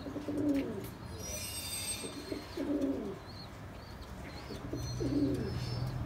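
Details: Bombay pigeon, a domestic breed kept as best quality stock; deep rolling coos repeat roughly every two to three seconds, with faint higher chirps from other birds and background hum.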